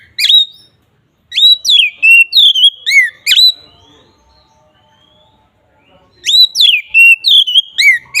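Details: Oriental magpie-robin (kacer) singing in the ngeplong style, used as a lure for other magpie-robins: loud, clear whistled phrases of sliding and falling notes, with a pause of about three seconds between bursts.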